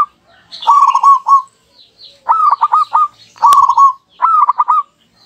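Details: Duet of two local zebra doves answering each other, played as a lure: four rhythmic phrases of clipped, stuttered cooing notes, each about half a second long, with brief pauses and one sharp click.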